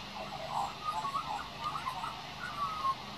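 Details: Young Australian magpie practising his song: soft, low, warbled whistles and slurred tonal notes strung together in a quiet, continuous ramble over steady background hum.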